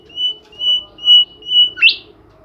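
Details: Bimoli bird singing loudly: four long, steady pure whistles in even rhythm, capped by an abrupt, bright upward-sweeping note.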